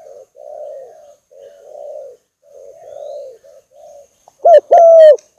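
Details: Spotted dove lure recording opening with quiet, muffled coo phrases and ending with a loud, sharp bent note followed by a long ringing coo.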